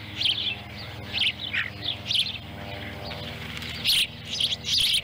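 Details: Wild ospreys at a nest camera in Lolo, Montana, on July 18, 2017, as the adult female delivers a small fish that a chick eats whole. High, thin chirps come in short bursts, roughly once a second, over a low steady hum.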